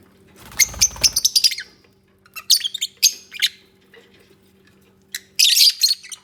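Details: Lovebirds bonding and nesting together, a rapid run of loud shrill chirps, then short squawking bursts separated by brief silences, ending in a harsh high call.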